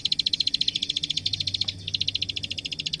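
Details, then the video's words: Plain prinia (klik klik) in full song on a tutor track for young songbirds: quick, even, high clicking notes with one short pause near the middle, over a soft low hum. "Suara Masteran Burung Klik Klik Gacor"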